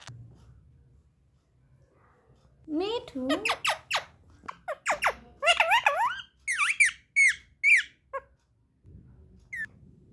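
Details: Parrot talking indoors in a small room, producing speech-like syllables that sweep up and down, followed by several sharp whistled notes, with quiet gaps before and after.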